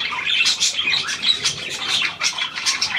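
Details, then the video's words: Pied Australian budgerigar, hand-tame and new to its keeper, 17 February 2023, giving brief squawky chirps run together into lively, grating chatter. "Ein neuer Handzahmer austr Schecke"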